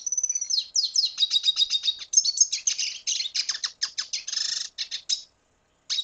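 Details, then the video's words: Red siskin from Venezuela in continuous song: a long, fast stream of high twittering and trilled notes with buzzy passages, barely pausing for five seconds. "Canto Cardenalito Venezuela"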